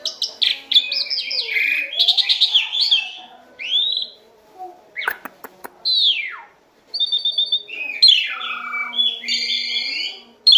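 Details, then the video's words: Asian pied starling song for training captive birds: chattering bursts and whistles, arched slurs, a few sharp clicks, a quick run of piping notes, then more harsh, scratchy phrases with brief pauses. "SUARA BURUNG JALAK SUREN GACOR FULL ISIAN"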